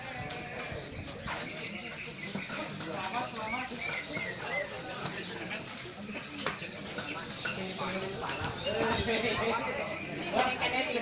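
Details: Songbird giving a rapid, busy stream of high twittering and warbled notes, about four short phrases a second, with people talking throughout and general chatter in the background.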